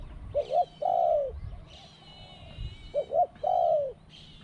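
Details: Spotted dove at a calling contest, voice described as small, two 'kuk' then 'ku-ang': two phrases of a quick double coo leading into a long falling coo, with thin high chirping of other birds in the background.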